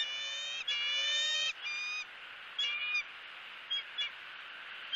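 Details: Female bald eagle on a Southwest Florida nest in February, greeting the male arriving with a headless fish: a run of shrill, high, ringing notes, the first two long, then shorter clipped calls fading into softer chitters.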